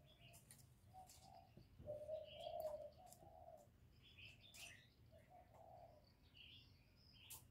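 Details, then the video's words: Spotted dove coo used to stimulate newly kept birds: a low, throaty, drawn-out coo phrase in the middle, a shorter coo after it, and scattered high chirps from other birds. "Tiếng cu Gáy Kích chim mới nuôi hiệu quả, cu gáy gù cực chất, cu đất gáy"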